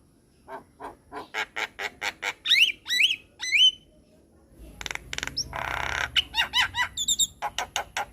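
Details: Masteran song from a vigorous white-eyed Javan myna: a regular run of clicks leading into three loud rising whistles, a burst of rustling noise, then more whistles and clicking.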